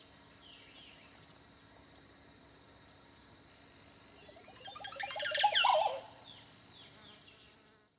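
A Montezuma oropendola gives one loud, liquid, gurgling burst lasting about a second, sweeping through many notes, over a faint steady hum.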